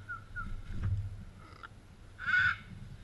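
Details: A scarlet macaw, an endangered Costa Rican parrot, at a sanctuary gives one loud, harsh squawk near the end after a few fainter short calls, over a low rumble of wind or distant traffic.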